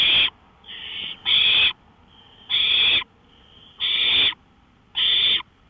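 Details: Owl calling from a porch at 1:53 AM, May 5, 2013: strong breathy screeches, some preceded by a quieter hiss, roughly every one and a quarter seconds.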